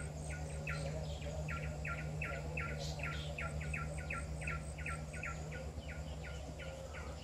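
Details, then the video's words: A Pin-striped tit-babbler, heard but unseen as it jumps around, at Genting Highlands repeats short, hollow notes about twice a second in a steady series over a constant low hum and a thin high insect whine. "Pin-striped tit-babbler call"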